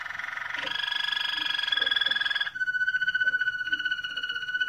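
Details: Moroccan Malinois canary singing: a continuous rolling, tonal trill with bright overtones, holding steady, then dropping halfway to a lower, purer sustained note that keeps rolling with a soft pulsing rhythm.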